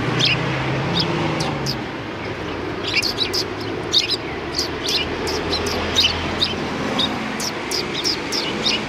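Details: Sparrows gathered before a cultural hall on 7 February 2020, greeting people: a busy chatter of many short, high chirps overlapping irregularly, with a low hum in the first seconds.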